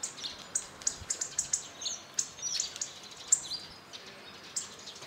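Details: Hawfinch flock visiting a bird feeder atop an old pig house in a back garden in northern Hungary: sharp, high, clipped ticking calls repeated irregularly, several birds overlapping, with faint wing flutters.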